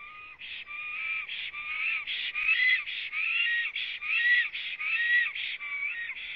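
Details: Black stork song at a Latvian nest, live camera, 09:31 on 26 April 2017, the bird having just come to the nest before preening: steady run of hoarse, hissing pulses interleaved with thin whistled upslurs, roughly seventy-five per minute.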